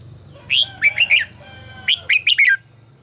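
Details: Red-whiskered bulbul trained to sing, giving two lively phrases of four warbled, slurred notes each, about a second apart, over a soft low hum.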